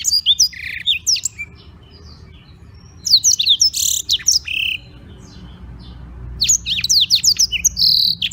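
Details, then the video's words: Black-throated canary in Beng, Gianyar, Bali, kept as a singing tutor, delivers rapid bursts of high twittering and sliding whistles, pauses for about two seconds, then resumes with dense chattering trills over a low background hum. "Blackthroat Gacor buat masteran"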